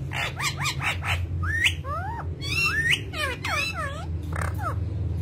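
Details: Parrot, described as talking, uttering rapid choppy squawks then several sweeping whistled notes that rise and fall, over steady low background noise.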